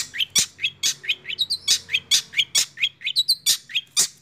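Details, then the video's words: Six-month-old caged long-tailed shrike in rolling speed song with 'nembak' bursts: harsh scratchy notes alternating with short rising whistled slurs, delivered about twice a second, loud and clear. "CENDET Usia 6 Bulan Berkualitas Roll Speed + Nembak"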